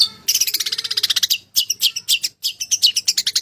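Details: Long-tailed shrike of Java in full, clear filler-rich song: fast rattling bursts of dense, scratchy high notes, split by short pauses.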